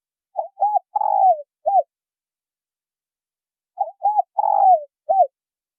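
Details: Spotted doves, male and female, calling to provoke newly caught birds. Two four-note coo phrases about three and a half seconds apart, each ending after a long vibrating descending coo with one short arched note. The background is quiet.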